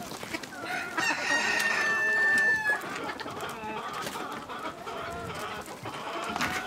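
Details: Village chickens heard in a calm rural setting: a long drawn-out squawk rises to a steady tone for about two seconds, followed by scattered softer clucks over a busy background of other birds.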